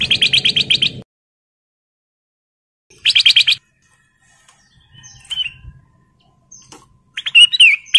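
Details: Breeding male Ruby-throated bulbul (kutilang emas) calling a female: a fast, even run of sharp repeated notes, silence, another run, then softer scattered chirps and a final lively twisting phrase.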